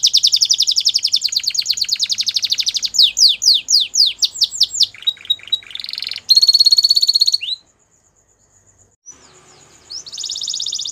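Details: Long song from a white Belgian canary: a fast rattling trill, a series of steep down-slurred whistles, short buzzy phrases, and a brief pure note, then a pause and a renewed trill.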